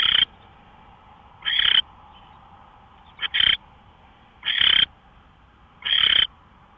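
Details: Owl recorded 24 March 2013 at 5:27 AM, giving harsh, raspy bursts of about a third of a second, five in under seven seconds at uneven spacing, over a faint steady hum.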